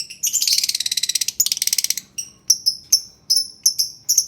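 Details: Lovebird song for coaxing silent lovebirds: a buzzy, rattling high trill of rapid pulses for about two seconds, then a steady series of sharp, squeaky chirps roughly every third of a second.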